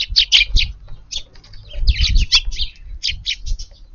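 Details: Sparrows visiting a garden on an April 22 evening to feed, fluffed up against the cold in strong wind, sometimes stretching their necks in alert; bright chirps in quick bursts, several in a row, over low wind rumble.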